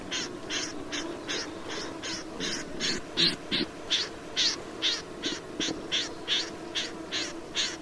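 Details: Snipe giving a long run of rough, scratchy notes at a regular pace of roughly two to three per second, growing a little louder midway, with soft low rumbling and a few faint clicks behind.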